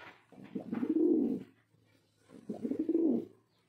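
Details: Male pigeon giving deep, burbling coos in two drawn-out phrases, each swelling and then fading, with a quiet gap between them and a still room behind.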